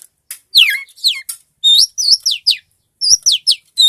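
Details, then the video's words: Long-tailed shrike singing busily, offered as a tutor recording for other birds. Loud, high, swooping whistled phrases drop steeply in pitch, with brief pauses between bursts and a clean background. "Suara burung cendet gacor bagus untuk masteran"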